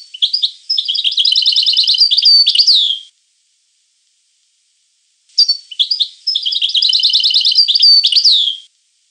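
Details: High, liquid twittering from a European goldfinch in two long phrases about three seconds each. Each phrase has fast buzzy trills and ends in a slurred downward note, with a clean silent gap between them.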